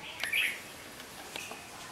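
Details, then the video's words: A red-whiskered bulbul beside a house gives a short, bright chirping call near the start, followed by a few faint clicks and soft notes against quiet background hiss. "นกหัวจุกข้างบ้าน 4 Red-whis kered Bulbul bird"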